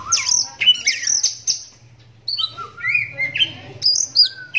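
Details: Captive adult oriental magpie-robin, blind in the right eye from a cataract since young, singing to make other magpie-robins answer: loud varied whistles, sweeping slurs and chattering notes in quick bursts, a brief pause midway, faint low hum beneath.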